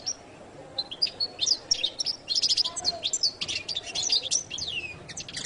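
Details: Jilguero latino goldfinch song, second part, opening with sparse thin chirps that build into a rapid, dense, twittering warble with descending slurred notes.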